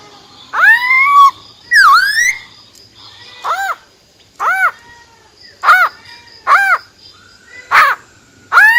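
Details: Female silver-eared laughingthrush in wild-type song to stimulate males: two long rising harmonic phrases, then a series of short, arched, ringing notes repeated roughly once a second.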